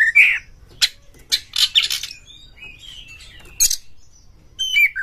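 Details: Oriental magpie-robin singing to stir other magpie-robins into song: an opening slurred whistle, then harsh rasping bursts, soft sliding whistles in the middle, a sharp high note, and a closing whistled phrase.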